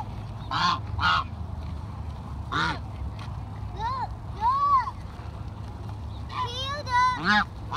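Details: Geese being fed, giving a scattered series of nasal, arched honks, some overlapping, with loud bursts near the end; people talking and a steady low hum run underneath.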